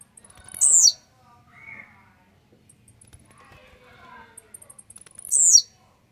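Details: Blue-black grassquit, described as grumpy and warmed up, delivers two sharp, buzzy, falling notes nearly five seconds apart. Each is preceded by quick ticking, with quiet chattering in the gap.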